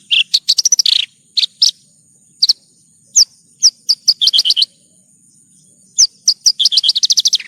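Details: Branjangan (bush lark) song in a one-hour tutor recording: repeated fast trills of sharp high chirps alternating with single downslurred notes, phrases separated by short pauses, faint steady whine behind.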